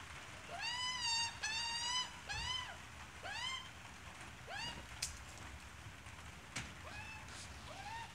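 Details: Australian magpie, adult with chick: quick runs of rising-falling harmonic calls, loud at first and then fading and spacing out, with a few sharp clicks or knocks in the background.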